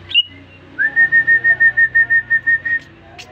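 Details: Newly bought caged greater green leafbird answering whistling with a steady series of about a dozen clear, evenly pitched whistled pulses after a brief upward slur, with a sharp rising whistle before and after.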